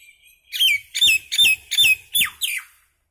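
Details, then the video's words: Common myna, described as a little mynah bird making noise: a run of six harsh, falling notes about every third of a second, each sweeping down from high and sharp to a lower squawk, with no other clear sounds. "Mynah Bird (Acridotheres tristis), Little Mynah Bird making Noise"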